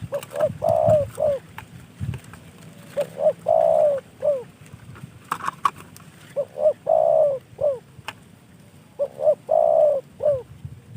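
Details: Captive spotted dove given by a hobbyist friend, repeating its coo phrase about four times: two or three short hooked notes around a sustained, slightly falling coo, separated by quiet gaps.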